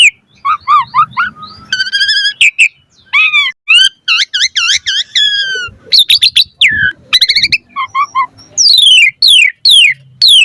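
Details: Asian pied starling giving a richly varied song, recorded as a lure so caged starlings sing prolifically: wavering nasal warbles, looping whistles, sharp clicks and a closing series of loud downslurred whistles; faint low background noise.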